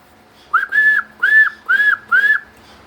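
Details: Captive talking myna whistling when asked: four clear, arched whistles in quick succession, each briefly rising then falling, spaced about half a second apart against a quiet room.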